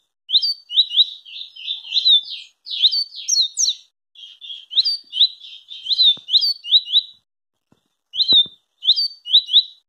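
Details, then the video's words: A Double-collared Seedeater sings a very fast, high run of sharp chirps and buzzy slurred notes, delivered in quick bursts with brief pauses; a few faint clicks are also heard. "SERÁ QUE VC JÁ VIU UM COLEIRO MAIS RÁPIDO?"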